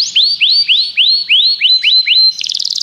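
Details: Common canary singing: a run of seven loud upward-swept whistled notes about three per second, then a fast buzzy rattling trill at the end.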